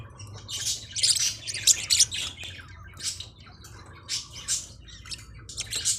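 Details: Forpus parrotlets giving clusters of high, squeaky chirps and short squawky notes, loudest early on, then spaced bursts every second or so, over a low background hum.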